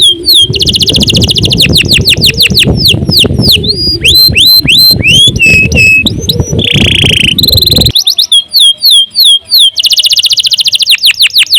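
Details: A canary sings continuously in gacor style, a tutor recording for songbirds: quick series of high descending whistled sweeps, a held whistle, then a harsh buzzy roll and fast bright trills, with low rumbling noise in the first two-thirds.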